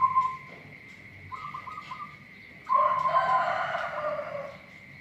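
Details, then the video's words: Local zebra dove giving an unusual voice: soft, level whistled notes, then a louder, rougher, pulsing phrase with rolling undertones, over a steady high-pitched hum. "Perkutut lokal suara aneh"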